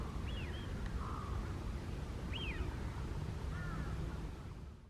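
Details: Eurasian wigeon, a wild bird, on the Kanto Plain in Japan in December, giving clear whistles that climb then drop steeply, spaced about two seconds apart, with softer lower whistles between them over constant low-pitched background noise.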